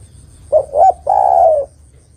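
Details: Calling female spotted dove, trying to draw a male: two short notes, then a sustained, throaty coo that drifts downward and stops abruptly.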